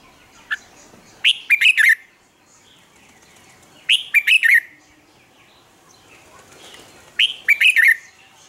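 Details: Morning song of a red-whiskered bulbul used for training: three short, rich warbled phrases of four or five quick notes, given about every three seconds, separated by near silence and faint background chirps.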